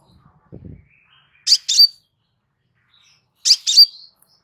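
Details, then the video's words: Relaxed crimson sunbird master recording for training cage birds: two high, sharp double chirps with a short whistled tail, two seconds apart, after a brief low thump. "Suara SANTAI Kolibri Sepah Raja"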